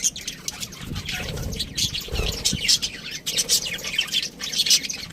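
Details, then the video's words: High budgerigar chatter with quick chirps and squeaky warbles in uneven bursts, over low rumbling background noise. "budgie chirping sounds | parakeet sounds"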